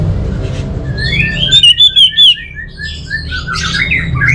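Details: Orange-headed thrush in song. Soft rising whistles lead into four loud, ringing notes repeated in quick succession, followed by a tangle of quieter high twitters. A constant low hum runs throughout.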